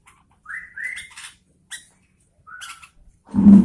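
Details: Lively song of a sooty-headed bulbul, locally kutilang: two linked upward-sliding whistles, a brief note, then a softer rising whistle, ending with a loud low thump near the end.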